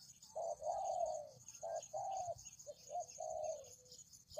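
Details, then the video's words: Spotted dove calling, recorded to lure doves: soft low coos in two-part phrases, a short note then a longer sustained coo, repeated three times, against a constant thin high-pitched background tone. "Pikat Tekukur"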